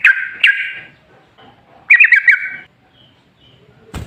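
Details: Sooty-headed bulbul used as a lure: two brief bursts of bright, slightly trilled warbling separated by a quiet gap, ending in a sharp click.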